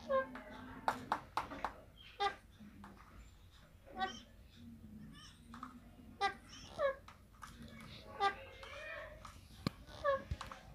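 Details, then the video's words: Pet green rose-ringed parakeet, a ringneck, indoors while playing and feeding, gives many short harmonic squawks and chatter notes in quick irregular bursts, each under half a second, with soft room noise between. "Ringneck Green Parrot Talking"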